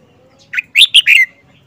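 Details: Wild-caught older red-whiskered bulbul in a cage, four months in captivity, singing a crisp four-note phrase of bright chirps with a falling whistled tail, loud against a quiet background.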